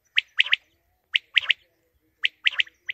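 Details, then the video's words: Quail call in a rhythmic three-note phrase, one sharp high note followed by a quick pair, repeated about once a second with near silence between. "lawa batair sound || quail sound"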